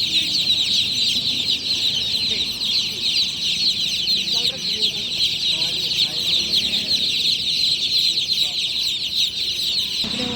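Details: Loud night chirping from a crowd of just-born chicks: nonstop shrill peeps, roughly two to three per second standing out from the chorus, with faint voices below.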